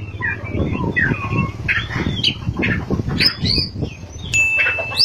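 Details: Oriental magpie-robin delivering 'ngerol' and 'nembak' song, with slurred whistles and high chirps over a steady low rumbling background noise, ending in a clear held whistle.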